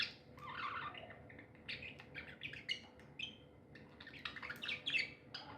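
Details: Happy pet budgerigars give a softer, busy mix of high chirps, warbles and clicks, overlapping irregularly with a faint background hum.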